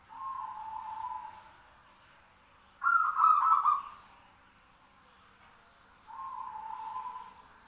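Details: Zebra doves trading calls. A soft level trill is followed by a pause, then a louder, harsher burst from another bird, another pause, and a final soft trill that matches the first.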